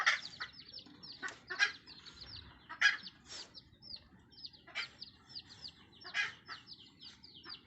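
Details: Mother red junglefowl hen calling her young: short clucks every second or so over a steady chorus of high, falling peeps from the chicks, with a faint low background rumble.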